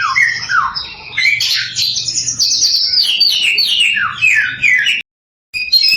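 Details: A samyong pours out a fast, varied song of loud whistled and squawky notes, sliding up and down in pitch, with a brief pause near the end; it is used to provoke other samyongs into singing.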